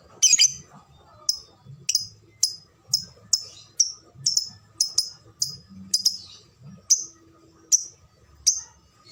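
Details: Lovebird calling in the ngetik style with tight gaps: a rapid series of sharp, high ticking notes roughly every half second, with faint speech below.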